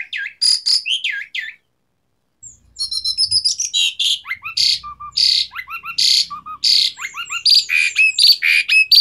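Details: Asian pied starling singing a varied, full song intended to stimulate quiet birds: looping whistled notes, a brief pause, then a dense stream of rasping chatters mixed with short upslurred whistles.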